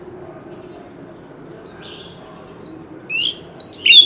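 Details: An old wild oriental magpie-robin sings loudly on a street corner. A few soft, high slurred notes spaced about a second apart lead into a short, bright, jumbled whistled phrase. A constant high tone hums underneath.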